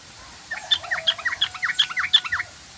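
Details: Sooty-headed bulbul giving rapid 'ngoceh ropel' chatter: a fast run of about a dozen sharp, downward-sweeping chirps over two seconds, with a thin steady whistle-like tone held underneath.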